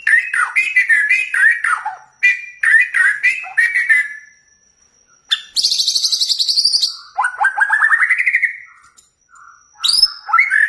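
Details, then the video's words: Lure recording of a white-rumped shama (murai batu), played to provoke other birds into singing: rich, rapid phrases of rolling whistles and harsh chatters, rising and falling, in bursts separated by brief pauses. "Pancing Emosi Murai Anda Biar Gacor Dor"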